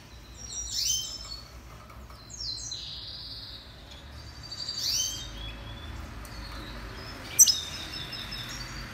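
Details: Song training recording of a red siskin (Spinus cucullatus): high thin twittering phrases with rapid slurred whistles near the start, another burst mid-clip and a sharp chip near the end, low hum underneath.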